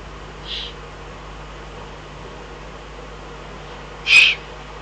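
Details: Eurasian eagle-owl in the Eifel, 22 June 2012, uttering a soft high hiss-like call followed about three and a half seconds later by a loud, harsh, brief one; low mechanical hum underneath.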